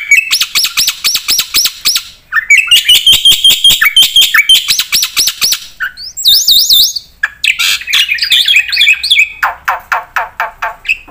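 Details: Lengthy 'gacor full isian' singing by a Black-winged myna: fast repeated rising notes, buzzy chatter, a wavering very high trill, then harsher notes repeated roughly three per second toward the end.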